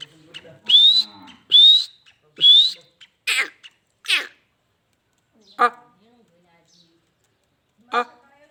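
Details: Black francolin, locally called kala teetar; three loud, evenly spaced, rising whistled notes about a second apart, followed by several harsh, rasping bursts and then two isolated sharp notes with quiet gaps between.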